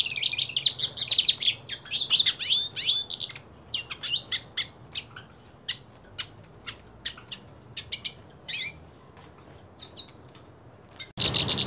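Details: Purebred hooded siskin singing while wanting to fight another hooded siskin: about three seconds of rapid, high twittering with buzzy slurred notes, then scattered sharp chirps separated by quiet gaps, and a loud burst at the very end.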